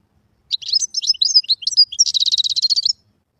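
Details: Wild European goldfinch singing, a recording meant for teaching chicks: about a second of quick liquid twitters and chirps, then a rapid, evenly pulsed buzzy trill lasting nearly a second.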